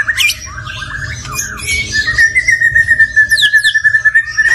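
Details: Stone magpie song opening with scratchy, squawky notes, then a long steady whistled tone held for over two seconds while high quick sweeping notes flick above it; low hum throughout.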